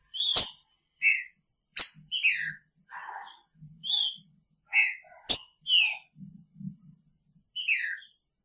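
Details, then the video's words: Caged green-winged saltator with its female, singing in picharro style: ringing whistles and descending slurs in quick succession, broken by sharp high notes and a few softer lower chips. "Trinca Ferro com sua fêmea!! Picharro"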